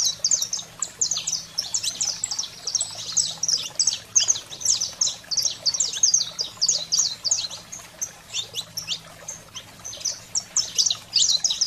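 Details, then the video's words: Excited 'fogo selvagem' song of a saffron finch, meant to stimulate caged canaries: long stretch of rapid, piercing high chips and twittering slurs, loud bursts alternating with short quieter gaps, low background hum throughout. "Canário-da-terra Fogo Selvagem"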